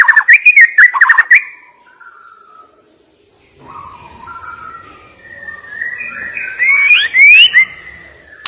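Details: Murai batu (white-rumped shama) song: an opening flurry of quick whistled notes, a quiet gap with soft low whistles, then rising, sliding clear whistles that build to a loud finish.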